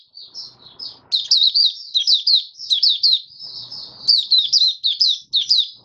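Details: Open 'buka sing' singing from a caged oriental white-eye, 20 January 2022, five days after monthly deworming. Softer high notes open the bout, then loud, rapid slurred twitters pour out in close-packed phrases, with faint low background rumble.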